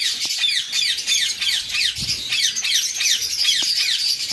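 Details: Eastern rosellas, a parent pair with their newly fledged chicks, one already feeding itself and chased by the male; harsh chevron-shaped squawks repeat about three times a second over a dense bed of high, hissing chatter.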